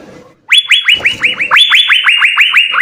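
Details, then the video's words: Asian fairy-bluebird in full song: after a faint start, a rapid, evenly paced train of loud, bright notes, each rising sharply and then falling back, keeps going to the end. "Hargacor suara 6 CUCAK BIRU GACOR full isian SI BURUNG SURGA"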